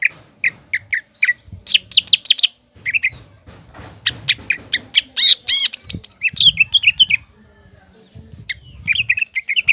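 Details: Green leafbird in full song, used to make a juvenile spotted leafbird angry and combative; long stream of varied chips, trills and high squeaky whistles, briefly pausing, then resuming with repeated slurred notes.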